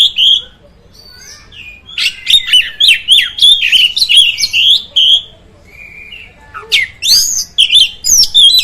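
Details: Song of an oriental magpie-robin, used to stir other magpie-robins into excitement: bursts of varied, rapid whistles and sharp chirps, some sweeping up and down, separated by short pauses and a few soft whistled notes.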